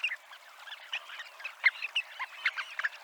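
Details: Dunlin (Calidris alpina) by the seafront promenade at Abruñeiras, Noia, on the Ría de Noia: a busy chatter of short, slightly buzzy notes from several birds overlapping, with a few sharper, louder calls standing out.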